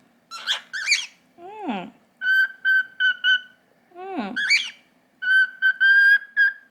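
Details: Pet cockatiel in its owner's hand indoors, one of two young birds, a normal pied and an albino; bursts of harmonic chirps, then strings of steady clear whistled notes repeated in quick runs, with a person's voice speaking softly in between.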